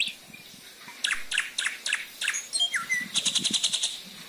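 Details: Black drongo singing as a lure recording for prompting other birds: a varied string of sharp chirps and quick downslurred whistles, finishing in a rapid buzzy trill of evenly repeated notes.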